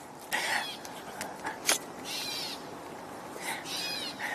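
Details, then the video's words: Gray catbird calling behind a man talking during a tour on 21 June 2025: several short, nasal, scratchy notes in spaced bursts, with a sharp click. "again. That's a gray cat bird that's vocalizing behind me."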